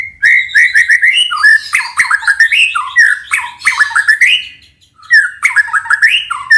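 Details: Morning song of a White-rumped shama, played to stir other shamas into singing: a dense, unbroken stream of slurred whistles and chattering phrases, with a brief pause before the rush starts again.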